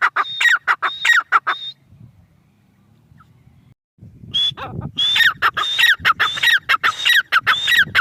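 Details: Teetar (grey francolin) with a short burst of piercing calls, a silent pause of about two seconds, then a renewed fast sequence of loud, harsh, whistled notes in even rhythm.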